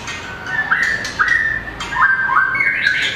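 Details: White-rumped shama, a small bird with a very long tail, in competition song: repeated whistled phrases that dip and rise, with sharp clicking notes between them.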